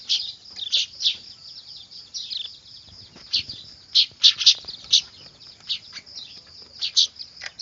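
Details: Weaver chicks, manyar, chattering loudly for use as a lure; high twittering interspersed with sharp raspy bursts, densest in the middle section.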